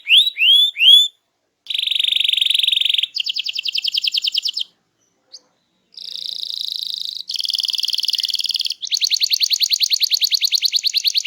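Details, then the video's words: Canary in full, vigorous song for prompting quiet birds to answer: upward-swept whistled notes, then a series of separate rapid trills, each a different tone, split by short silences and ending in a long fast rattle. "Kicau Burung Kenari Gacor Ngegas untuk Pancing Burung Diem"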